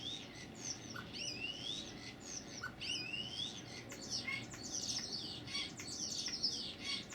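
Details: A bird on a balcony making many different funny noises. Fluid whistled notes sweep up and down, some looping or rising in repeated phrases, and grow into a dense run of descending whistles. A steady low background rumble runs throughout.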